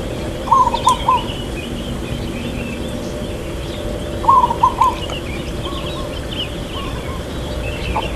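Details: Long-"kuk" song of a local zebra dove, irama lelah style: two bursts of three or four quick ringing coos about four seconds apart, followed by quieter trailing notes, with distant bird chirps in the background.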